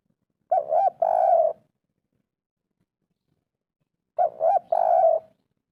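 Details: Spotted dove, 'kuk 3' local coo type, used to prompt a quiet bird: two identical phrases about four seconds apart, each two quick soft coos followed by a longer, burry sustained coo, with clean silence between.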